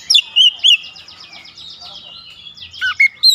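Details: Oriental magpie-robin singing with its beak opened wide in sharp 'tembakan' bursts: three loud, clear whistled notes open the phrase, a softer rapid chattering trill follows, then more piercing whistled notes at the end, in a quiet setting.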